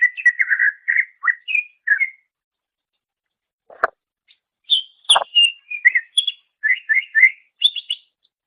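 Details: Greater green leafbird song for master training of songbirds: chattering whistled phrases, a silent gap broken by a sharp click, then more varied rising and falling whistles.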